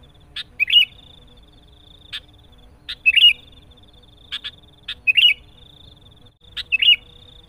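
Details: Sooty-headed bulbul lure song for trapping: short liquid warbled phrase repeated about every two seconds, each preceded by sharp clicks, with a continuous thin high whine throughout.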